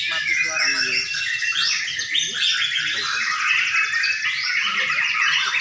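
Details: White-rumped shamas (murai batu) used as master birds at a bird-song contest ground in Sidareja pour out dense, rich whistled and chattering phrases, several birds overlapping without pause, with faint voices underneath.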